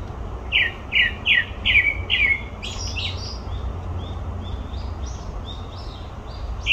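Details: Grey-backed thrush vocalising at Olympic Park: five loud downward-slurred whistles in quick succession, followed by a long stretch of thin, high, scratchy twittering and one final whistle, over distant low rumble.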